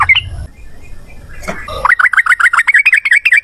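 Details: Sooty-headed bulbul song used as a lure to make other birds answer, a long rapid chattering run: a few loose notes, then a fast string of short bubbly rising-falling notes, about a dozen in a second and a half.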